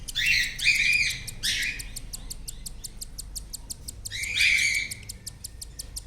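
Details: Four cockatiel chicks in a nestbox being fed by their parents give harsh, raspy begging bursts over a rapid, steady ticking pulse.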